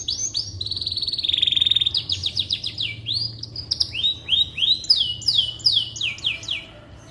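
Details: Canary singing as a tutor recording for white-rumped shamas, a steady high trill followed by quick repeated rising and falling whistled notes and rolled phrases, with faint low hum.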